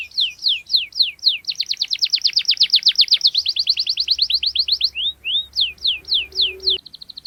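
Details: Gacor canary, sharp rolling song as a lure for young canaries: spaced descending whistles run into a long fast trill, slow again into separate slurs, then a soft high buzzing rattle.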